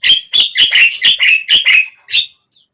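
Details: Javan myna, sung to encourage a silent bird to open its beak: eight evenly spaced, harsh, slightly nasal squawks with whistled edges, roughly four per second, then quiet.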